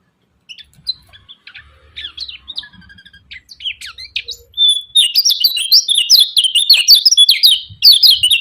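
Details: Lemon-bellied white-eye, locally kecial kuning, chirping 'ciak ciak' to stir silent rival birds into singing. Scattered high, thin twitters build after five seconds into a fast, steady chatter of shrill, sharply repeated chirps.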